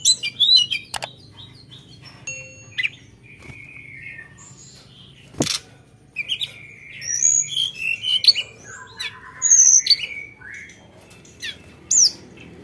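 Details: Lively Sunda bush warbler song with sharp 'nembak' notes and fill-in phrasing: sparse high chips and a sharp click, then clusters of rapid, thin, high whistled slurs after a pause.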